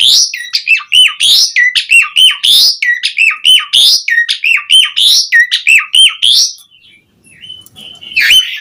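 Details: Asian pied starling pouring out fast varied song, meant as a lure for caged starlings: six seconds of quick, loud chirping and whistled phrases, then a pause and a few softer notes.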